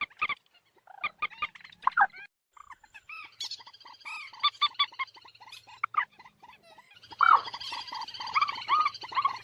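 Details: Moorhen calls: scattered sharp, nasal notes and short honking runs, some sliding upward, building to a dense, loud chatter of harmonic calls in the final seconds over a low hum.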